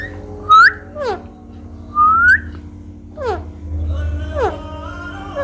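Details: A pet parrot talking while being cuddled indoors: two bright rising whistles followed by falling, harmonic-rich vocal syllables, with a low background hum.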